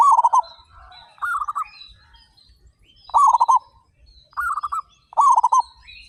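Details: Local zebra doves, thirty-five birds singing eagerly and loudly, each giving a short burst of five or six fast, beaded coo notes roughly every second, with soft high chirps of other small birds in between.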